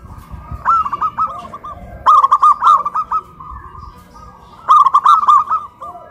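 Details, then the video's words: Caged local zebra doves in Kuningan, West Java, cooing loudly after being hoisted on a pole, a duet of big-voiced and crystal-voiced birds: three loud bursts of rapid rolling coos with fainter answering phrases between. "PERKUTUT LOKAL SUARA BESAR VS SUARA KRISTAL"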